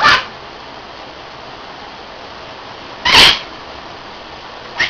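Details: Pet Hahn's (red-shouldered) macaw sitting on a windowsill gives three short, harsh, scratchy squawks, spaced unevenly over a few seconds, with quiet room hiss between them.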